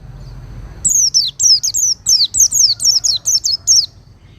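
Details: Cage-bird Oriental white-eye, recorded for teaching other birds: a continuous run of about twelve high, thin notes, each dropping steeply in pitch, delivered quickly and evenly after a quiet start.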